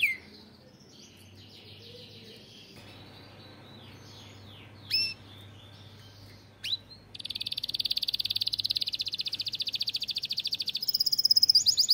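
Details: Captive canary in a breeder's canary room. After several quiet seconds with faint scattered notes, it breaks into a fast, even, high trill of rapid repeated notes that continues to the end, brightening near the close.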